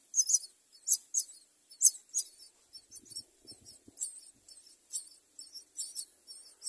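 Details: Common myna mother feeding her baby; high, scratchy calls in irregular bursts, some doubled, with a brief low rustle midway.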